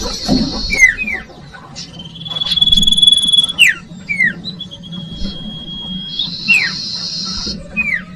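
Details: Common iora song meant as a lure for young birds: buzzy trills alternating with a long steady whistle and short falling slurred notes, a faint hum underneath.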